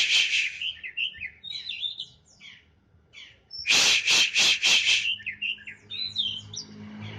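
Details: Morning sunbathing session for a caged Oriental magpie-robin. It sings varied twittering, whistled phrases, broken by a rapid series of four or five harsh rasping bursts, then more warbling.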